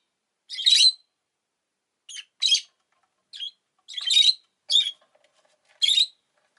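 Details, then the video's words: Rosy-faced lovebird kept as a pet giving sharp, rasping high chirps, single or paired, spaced irregularly about a second apart, with quiet gaps between them. "Lovebird Chirping Sounds"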